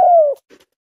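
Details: A tame spotted dove gives one smooth, low coo lasting about a third of a second, gently falling in pitch, followed by faint soft rustling.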